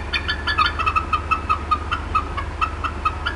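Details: Agitated female bald eagle, Decorah North nest, 18 April 2016 afternoon: a steady string of brief, piping chip notes repeated quickly, over a low background hum.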